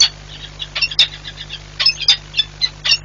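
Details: Peregrine falcon pair at a nest on the Orlen site in Płock, Poland, 4 April 2022, changing over at the nest many times; bright, harmonic chipping notes about once a second, uneven in spacing, with a steady low hum behind.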